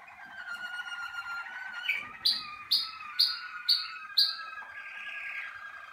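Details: Malinois Waterslager canary, bred for song, in its first sessions in the singing cabin: a long held, reedy tone carried under a series of five sharp, bright clicking notes spaced about half a second apart, then a softer trill.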